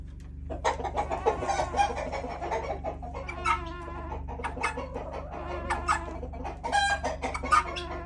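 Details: Backyard chickens make odd, nasal, warbling squawks and clucks that rise and fall in irregular bursts, over a steady low hum.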